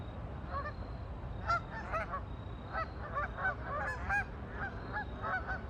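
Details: Ducks on a lake: loud, clear bursts of bright nasal honks, often in quick doubles and triples, come in rapid succession over a soft low background hum.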